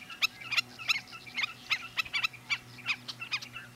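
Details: A Black-necked Stilt at Sunnyside Wildlife Area, Yakima County, Washington, gives sharp, high yapping notes, about three per second in a steady run, with a faint low hum underneath.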